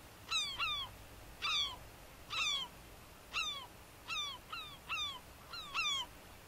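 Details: A European herring gull in Uitkerkse Polder, Belgium, in February 2011 gives short, harsh, downslurred mewing calls, singly or in quick pairs, about once a second over faint background hiss.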